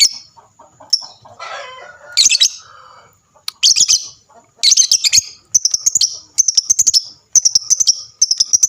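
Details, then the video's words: Lovebird calling to prompt other lovebirds into answering with lively chatter: scattered sharp chirps and a brief harsh, noisy squawk, then a run of rapid, evenly spaced shrill trilled bursts near the end. "dengarkan sebentar saja, lovebird mu di jamin langsung nyaut rame bunyi gacor"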